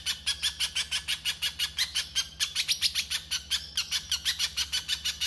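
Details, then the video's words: Rough masteran of a little spiderhunter singing 'konslet': scratchy, high-pitched notes fired off in a fast run, some louder and more emphatic midway, with a low constant hum in the background. "Pijantung pisang KONSLET ! Masteran kasar"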